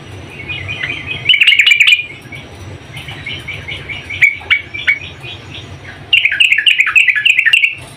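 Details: Female sooty-headed bulbul calling for a male: short loud bursts of quick chattering notes at the start and end, with softer scattered notes between over a steady low hum.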